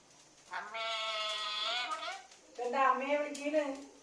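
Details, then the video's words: Indoors, a talking parrot utters two drawn-out, speech-like phrases: a long steady harmonic one, then a shorter wavering phrase after a brief gap. The voice is nasal and slightly bleating. "parrot talking"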